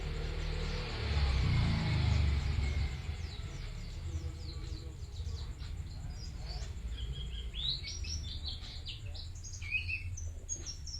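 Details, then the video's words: Bustomi white-eye in full song. After a burst of noise, rapid high chirps and quick slurred whistles come in bunches, loudest near the end, over a steady low droning hum. "Burung Pleci Bustomi Gacor"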